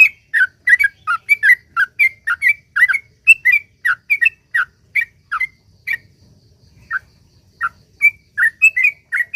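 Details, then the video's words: Sooty-headed bulbul giving a lively, long chattering song meant to prompt other bulbuls to sing: a dense string of quick bright slurred notes, about three per second, with one brief pause partway through before resuming. "suara trucuk gacor ROPEL PANJANG ampuh buat pancingan trucuk agar bunyi"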